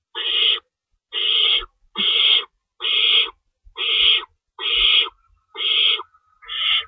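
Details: At an owl nest before dawn on March 25, 2012, during feeding time with two rabbits in store, hoarse hissing screeches repeat in a steady run of eight, each about half a second, nearly evenly spaced.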